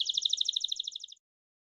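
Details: Belgian canary bell song fragment: one short, crisp trill of about a dozen and a half evenly spaced high notes, fading out after roughly a second.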